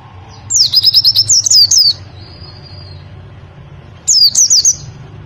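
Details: Warbling white-eye tutor song in the 'nembak' style, for training caged birds in the morning: a quick run of high, sharply rising and falling notes, a silent gap over low background hum, then a shorter similar burst.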